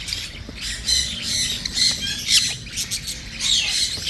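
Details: A young cockatiel being hand-fed gives harsh, raspy begging squawks in quick, uneven bursts.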